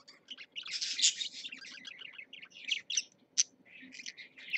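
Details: Parakeets in a cage give a continuous scratchy warble of fast chirps, with a couple of sharp high squeaks near the middle and end, over a low hum.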